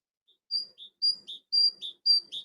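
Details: A great tit, a bird heard in springtime, sings four clear two-note phrases, a high whistled note dropping to a lower one, repeated about every half second like "tea-cher, tea-cher".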